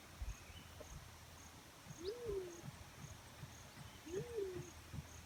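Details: Two mellow coos from a Black-chinned fruit dove, each a rising-then-falling hoot about half a second long, spaced two seconds apart, with thin high chips from other birds in the background.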